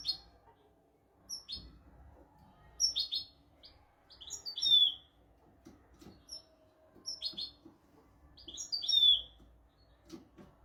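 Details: European goldfinch, tutor recording for training goldfinches and canaries: short separate bursts of high chirps and twitters, each a second or so long, spaced by quiet gaps with faint low room hum underneath.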